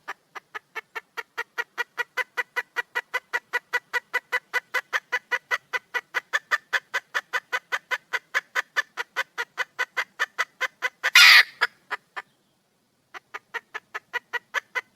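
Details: Calling red junglefowl hen looking for a mate: a long, fast, metronome-like series of short clucks, about four each second, broken by a loud rasping burst and a pause, then resuming.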